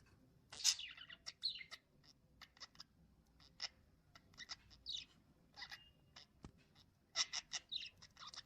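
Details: Lovebirds chirping: short, sharp high chirps and squeaky bursts come in irregular clusters with brief quiet gaps, one louder squeal near the start.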